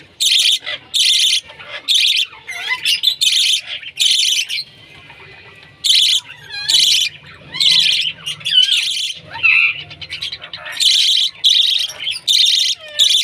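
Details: Chirping from a pet bird used as an alarm clock: loud, harsh, high bursts repeated irregularly about once a second, with faint whistled slurred notes and a low hum in the pauses.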